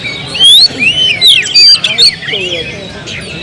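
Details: Kept Oriental magpie-robin sings loud, clear whistled phrases and long pure notes, interspersed with scratchy chips and quick slurs, over a faint low hum.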